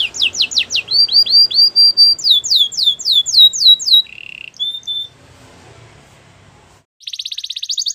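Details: Canary song made of rapid chains of sweeping whistled notes, about four per second, then a short buzzy trill, a quiet pause, and a final burst of fast, high rattling trill.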